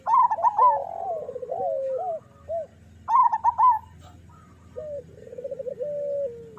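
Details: Zebra dove song of the local type, used to coax reluctant or moulting doves into singing. Loud stuttered high coos open the clip and return after three seconds, between lower rolling trills and short rising coo notes.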